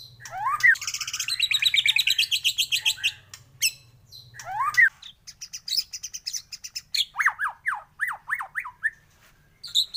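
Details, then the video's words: White-rumped shama singing in a morning lure recording: a long fast rattling trill of buzzy notes, a sharp upswept whistle, then a run of quick descending whistled notes, with a faint low hum. "pANCINGAN masteran pagi agar MURAI BATU gacor!!!"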